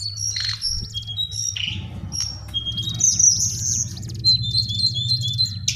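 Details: Lesser shortwing, called cingcoang or jongkangan coklat, in a recording used as a lure for training birds: high, thin whistled notes and quick chirps, some sustained and wavering, scattered across six seconds over a steady low hum.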